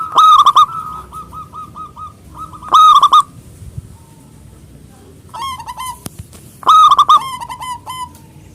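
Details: Local big-voiced zebra dove calling out to rivals: loud rolling coo phrases with short strings of softer repeated notes trailing after them, about four bursts in all, over a low steady background hum.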